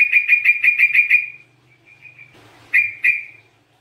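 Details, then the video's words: Sooty-headed bulbul in gacor voice, used for luring and therapy, repeats a bright whistled note about six times in quick succession, then soft notes and two louder whistles. "TRUCUKAN GACOR COCOK BUAT PANCINGAN"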